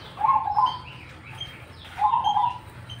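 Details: Cemani zebra dove singing actively with a special, unusual tone: two low cooing phrases, one near the start and one after two seconds, each a rippling burst of quick notes with faint higher overtones, over a soft steady hum.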